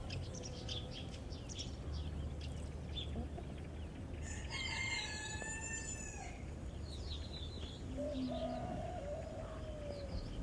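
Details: Rooster in a natural setting giving one loud, harmonically rich crow of about two seconds, followed by a fainter, lower drawn-out crow; small birds chirp throughout over a steady low background rumble.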